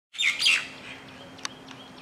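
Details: Yellow-crowned woodpecker (Leiopicus mahrattensis), call.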